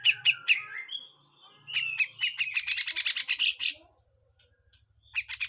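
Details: Grey-cheeked bulbul giving harsh full song with besetan, a training recording: a few sharp chips, then a bright harsh burst rising into a rapid high rattle, a quiet gap, and renewed chips, with a faint low hum in the background.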